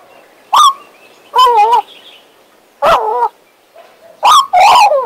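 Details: Warbling from a pet male Western Australian magpie: four loud bursts of wavering, harmonic-rich notes, separated by short pauses, over a quiet background.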